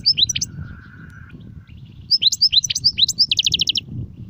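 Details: European goldfinch song in the Serfati, Gzrati and Sersir styles: sharp high chirps, a thin steady whistle, then quick twittering ending in a fast even trill of clipped notes, over a low hum.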